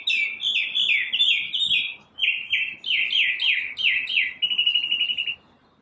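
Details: Morning song from one bird: fast rolling trills of bright downslurred notes in two phrases, the second ending on an even buzzy trill, with light background noise.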